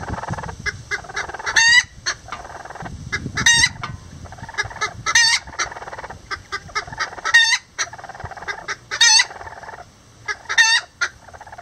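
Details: Rare Lavender Bantam bantams, roosters and hen nest-building together; busy repeated clucking with half a dozen loud, raspy, climbing squawks recurring every couple of seconds.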